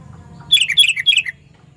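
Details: Loud, shrill call of a sooty-headed bulbul, used to lure bulbuls: three or four rapid, liquid, chirping notes that dip and rise, ending abruptly after under a second, over a quiet low background hum.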